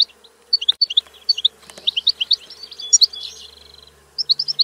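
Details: European goldfinch song: quick bright twittering notes in short bursts, each phrase a cluster of high chirps with brief pauses, a buzzy stretch near the middle and a faint steady low hum beneath.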